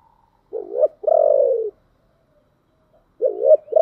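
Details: Spotted dove kept as a decoy, thick 'thổ' voice style, calling to bring wild doves close. A wobbling short note and a long, low, sustained coo, then the phrase begins again after about two seconds of quiet.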